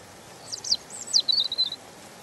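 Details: European robin in gentle song: steep high downward-sweeping notes followed by a sweet, rapid jumble of sliding notes that settles into a short twitter, over faint steady hiss.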